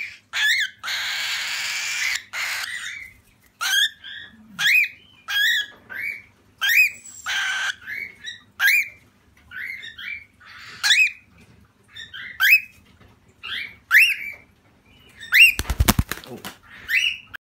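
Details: Cockatiel (Nymphicus hollandicus), calls.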